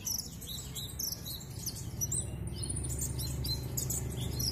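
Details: Van Hasselt's sunbird kept in a cage, singing busily and showing off its fill-in repertoire: scratchy, high-pitched chirps and twitters tumbling together rapidly, with a low murmuring background.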